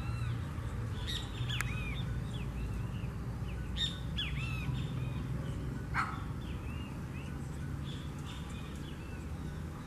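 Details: Blackish rail (Pardirallus nigricans) calling at Araçatuba, São Paulo, Brazil: short, squealing, arched notes in a loose, irregular series, with a sharper falling squeal near the end, over a heavy low rumble.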